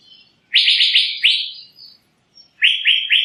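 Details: Loud burst of four fused rising whistles from an Asian fairy-bluebird, ending in a longer slurred note, then after a pause a run of three quick upswept whistles.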